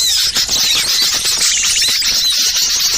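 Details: Lure recording of noisy small birds for calling wild birds down: thin, sharp whistled chirps and quick downslurred notes over continuous squeaky twittering, with a short run of buzzy trill notes midway.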